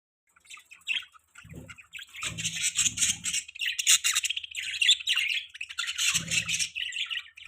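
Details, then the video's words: Pet budgerigars chirping together in a continuous dense chatter of bright, scratchy warbles and squawky notes, with a few short low thumps or flutters in the background. "Beautiful Budgies Chirping Sounds"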